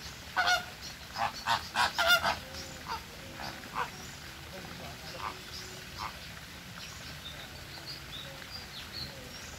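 Flamingos honk loudly and nasally, like geese, in a quick burst of about eight calls over two seconds, then softer scattered calls over a murmuring flock.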